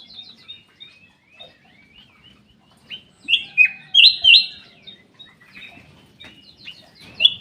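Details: Caged black-capped bulbul in an aviary delivering a loud burst of ringing whistled notes mid-way, stepping down then up, among a background of scattered twittering from other birds.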